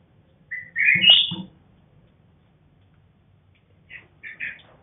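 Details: Red-whiskered bulbul, a bred cross of a black-crested bird and a female, sings one loud, rising whistled warble, followed after a pause by a few soft chirped notes.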